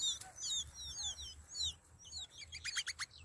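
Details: Several hungry sparrow nestlings beg for food in the nest with thin, high chirps and squeaky slurs that overlap, then break into a fast, sharp burst of cheeps.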